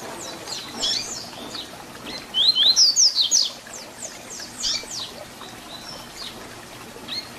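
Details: ["Double-collared seedeater in the 'Tui Tui Zel Zel' fibra song, intended to teach young birds. One strong phrase comes near the middle: two upslurred whistles, then a brisk string of high sharp notes. Faint background chirps sound before and after."]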